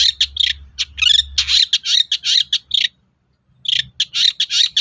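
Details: Dense run of harsh chattering notes from a long-tailed shrike, broken by a brief silence before it resumes. Used as a lure so other shrikes answer.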